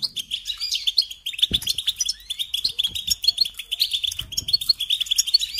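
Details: European goldfinch pouring out a steady rapid twitter, bright chirps and liquid trills without a break, with a few soft low knocks in the background.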